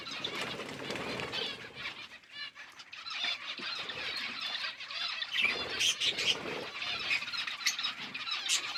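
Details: Budgerigars chirping while eating food, a busy chatter of rapid, scratchy chirps and short squawks with bursts of wing flapping, the noise rising and falling in waves.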